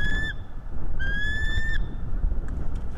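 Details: Bald eagle filmed by a live nest camera as it drives off an intruding eagle: two long, thin, slightly upslurred whistles with chattering overtones, then faint distant notes, against constant low rumbling wind.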